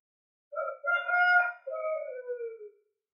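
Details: A rooster gives one full crow lasting about two seconds, a hoarse, rising phrase that breaks briefly and ends in a long, falling drawn-out note; nothing else is heard.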